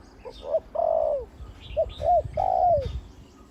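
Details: Big-voiced spotted dove decoy, an old trapping decoy over eight years old, trained to work on the ground and on branches, giving mellow coo phrases: short notes leading to long drawn-out falling coos, with faint chirps from other birds.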